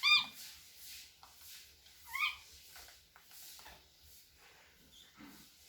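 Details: A home-bred cockatiel, singing and opening its wings, gives two short, clear whistled notes a couple of seconds apart over a faint indoor hiss.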